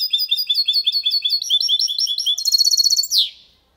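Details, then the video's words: A goldfinch × canary hybrid sings clean Málaga-copy song, used to stimulate females and teach young goldfinches. Continuous high twittering quickens into a fast trill, closing with a downward buzzy note and silence. "Mixto de Jilguero Cantando Limpio sin errores (copia malaga) Hybrid de Chardonneret chantant propre"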